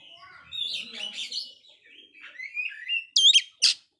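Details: Oriental magpie-robin after a failed moult, in busy song meant to stir up downhearted rivals: jumbled warbling and slurred whistles, then two loud piercing notes near the end.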